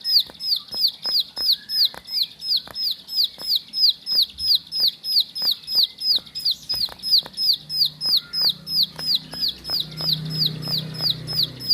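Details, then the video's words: Home-kept bar-winged prinia, known locally as ciblek sawah, delivering a long, rhythmic run of high, falling whistled notes at roughly three per second, evenly spaced, with occasional clicks and a low hum beneath. "Ciblek Sawah Si Burung Murah Bikin Meriah Isi Rumah"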